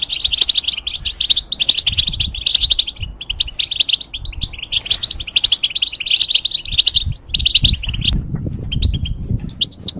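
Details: Caged European goldfinch, a tutor bird for hybrids, sings a sustained, jangling twitter of rapid chirps and trills that stops abruptly near the end. A few soft notes follow over a low rumble.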